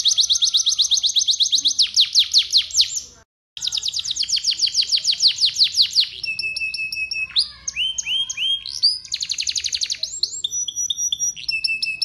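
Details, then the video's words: Canary in full, continuous song, used to get other canaries singing: rapid high-pitched trills and rattling note series, a brief pause near three seconds, then fast chattering phrases and clear whistled notes in varied bursts. "Suara Burung Kenari Gacor Sekali putar Kenari lain ikut Gacor bunyi"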